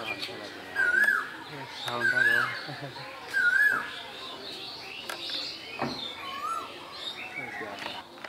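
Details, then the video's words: In Bangladesh during spring, an Asian koel gives three loud arched whistles about a second apart, then goes quiet while softer chirps and background rustling continue. "বসন্তের কোকিল, কোকিলের ডাক"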